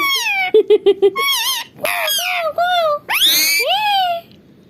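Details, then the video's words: Talking pet parrot perched on its mirror frame, excited at its reflection, saying the words it knows; quick repeated short syllables, then chattering phrases and swooping whistled tones in a lively babble. "Mitthu ki non-stop boli🤩😃 batooni tota"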